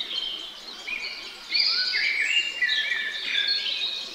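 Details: A great spotted woodpecker pair tending their young. Steady, shrill, scratchy chatter of many rapid calls, growing louder after the first second and a half, with no other clear sounds.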